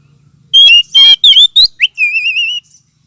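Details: Oriental magpie-robin sound used for luring and as therapy for birds lacking aggression: loud clear whistles, a few sliding notes, then a long wavering trill-like whistle, strong and ringing.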